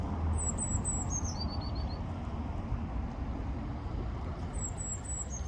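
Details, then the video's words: Blue tit song: a high, thin, slightly falling series of notes that drops into a short trill of lower repeated notes, then another phrase begins near the end, all over a heavy steady rumble of traffic or wind. "Blue Tit Call - blue tit singing - blue tit bird"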